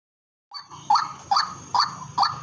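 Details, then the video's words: White-breasted waterhen calling from a farm field: four loud, harsh, nasal notes about half a second apart, each with a bright upper overtone, over faint low rumble. "Bunyi burung keruak yang terbaik dari ladang"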